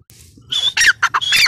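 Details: Grey francolin female (teetar) beginning a call: a whistled note followed by a few harsh, loud squawks in quick succession.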